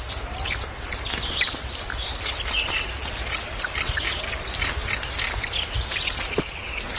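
Red-necked Tanager song: a very high, thin, sibilant twittering of rapid wiry notes running almost without pause over faint background hiss.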